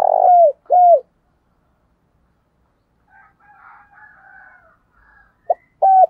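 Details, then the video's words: Spotted dove used as a decoy, cooing to urge wild doves to call: two low, hollow coos that slide downward open the passage, a quieter murmur follows, then more coos close it. "Chim Cu Mồi Thúc Gù/ muốn chim bổi nhanh nổi và gáy nhiều anh em phải mở vdeo này"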